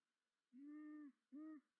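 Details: Long-eared owl at a nest in Tiszavasvári, Hungary, 9 April 2024, as the male delivers mice to the female: two low, steady hoots in quick succession, the first long and even, the second shorter; otherwise quiet.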